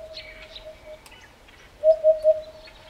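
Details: Eurasian hoopoe calling in the African bush of Botswana: a quick triplet of low, mellow, hollow 'poo-poo-poo' notes near the end, after a faint steady low tone, with other birds chirping higher in the background.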